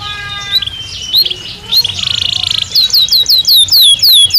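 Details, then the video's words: Belgian canary song for training: soft thin whistles, then a buzzy trill and a fast stuttering roll, followed by loud repeated downward-sweeping whistles. "Som de 1 Hora com Canario Belga Cantando Naturalmente"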